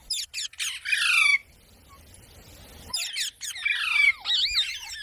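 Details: Harsh, buzzy parrot squawks in two loud bursts with a near-silent pause between, the later burst mixing rasping notes with looping whistles.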